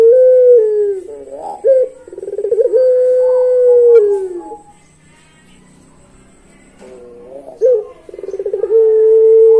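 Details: Pelung-type Barbary dove giving its long song: drawn-out, steady coos held over a second each, broken by short rolling trilled notes, then a long pause before the phrase returns.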